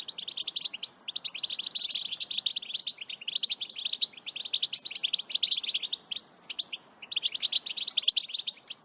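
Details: European goldfinch in a long, excited 'batbata' song, sustained rapid twittering and tinkling chirps broken by short pauses, the rhythm fast and jittery throughout.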